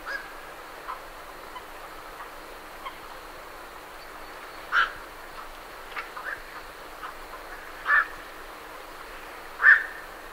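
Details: Night herons calling at medium-close range as the birds leave their roost, with great reed warblers in the background: short, harsh, croaking single notes at irregular intervals, some louder and nearer, over a steady hiss.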